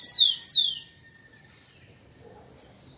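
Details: Kept rufous-collared sparrow singing to stimulate females: two loud, clear whistles sliding steeply downward in quick succession, followed by fainter high thin notes and a quiet background.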